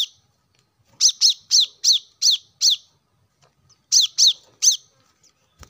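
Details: Plain-throated sunbird, played so caged birds start singing: a fast series of six sharp, downward-sweeping chirps, a pause, then three more, in an otherwise quiet setting.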